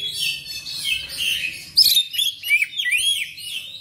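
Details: Kacer, the black magpie-robin, giving a burst of song: a scratchy, buzzy opening followed by loud clear whistled notes and arching slurs, sharp and bright in tone, over a low background hum.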